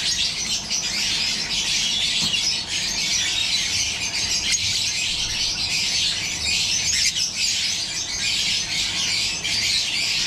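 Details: Captive yellow-collared lovebirds in a breeding setup; many birds keep up an unbroken wall of sharp, high-pitched chattering and squeaks over a low background rumble.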